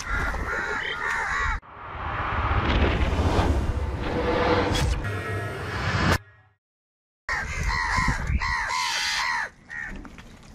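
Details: Angry crows fighting over food give loud, harsh, rapidly repeated caws in the opening second and a half and again near the end, separated by a long stretch of loud rushing noise and a brief silence.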